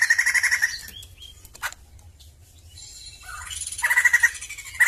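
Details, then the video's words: Short bursts of rapid pulsed trilling from a Sumatran laughingthrush bracket a quieter middle stretch of scattered clicks and brief whistled notes. "PERFORMA BAGUS DALAM BERKICAU BURUNG POKSAY JAMBUL SUMATERA"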